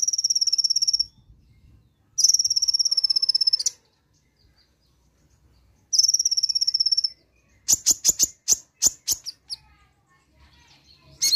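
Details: Brown-throated sunbird (konin) singing its rapid 'nembak' song right after a recording is played once: buzzy high trills of about a second each, repeated, then a run of sharp separate notes.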